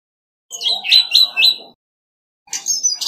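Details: Orange-headed thrush decoy bird singing competitively: a brief run of three or four bright, high slurred notes, a pause, then another sharp high phrase begins.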